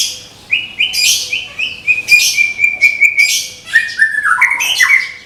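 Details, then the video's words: Medan white-rumped shama, a caged contest bird ready to compete, delivering rapid repeated whistled notes on a steady pitch interlaced with loud harsh bursts, then falling and rising slurred phrases toward the end. "SUARA TEMBAKAN MURAI MEDAN SIAP DIPINANG DI GANTANGAN"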